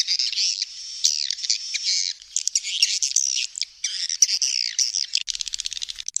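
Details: High, wavering swiftlet chirps in long buzzy phrases that rise and fall, finishing with a fast train of sharp clicks.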